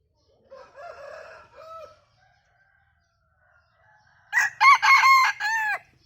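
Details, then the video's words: Bantam rooster crowing in a laughter-like style, given as about nine bursts per crow: soft, faint calls first, then a loud crow of four or five choppy, bright harmonic bursts that fall away at the end. "ขันสัก9ดอกคล้ายเสียงหัวเราะ ไก่แจ้ ไก่ขัน"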